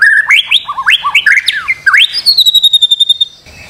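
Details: White-rumped shama in a master recording for training birds to sing: a quick run of looping whistled slurs, a sharp V-shaped note, then a fast, even trill of high pulses fading out.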